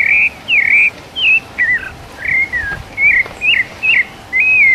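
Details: Rufous-bellied thrush singing its wild-type (mateiro) song, recorded live: a string of clear, slurred whistled phrases, each under half a second, with short pauses between and nothing else audible.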